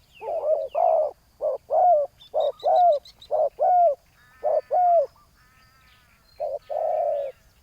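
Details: Decoy spotted dove on the ground calling out a rival, delivering rapid hoarse coos with rising bends. A break follows before a final long phrase. Other birds give faint high chirps and buzzy notes.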